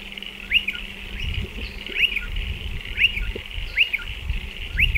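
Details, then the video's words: Striated pardalote at burrows in a dry stone wall, with clear sharp rising chirps, some doubled, about once per second over steady hiss and faint low hum. "Striated Pardalote calls and behaviour"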